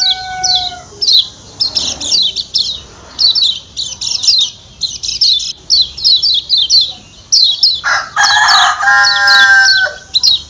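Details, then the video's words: Lombok white-eye, locally kecial kuning or pleci Lombok, giving a 'ciak ciak' call said to draw other birds in: rapid series of high, sharp, downslurred chirps, with a loud rooster-like harmonic crow near the end. "Ciak Ciak Kecial Kuning"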